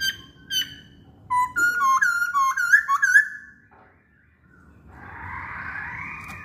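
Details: Energetic Masked laughingthrush song: a burst of quick, bright, harmonic whistled notes rising and falling in a rolling series for about two seconds, after faint opening calls, ending in quiet then a broad hiss.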